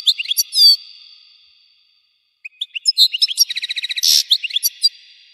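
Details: European goldfinch song: a short twitter and a loud chirp that fades away echoing, then a long run of quick chirps, a rapid buzzy trill and a harsh rasping note, ending in scattered twittering.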